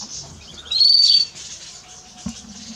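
A house sparrow gives one bright, high chirp that rises and levels off, lasting about half a second, over a steady background hiss and a soft click.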